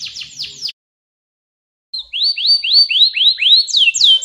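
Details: Canary song: a short run of falling whistles, a pause of over a second, then a fast train of rising-falling slurred notes repeated about four times a second, ending in higher swoops.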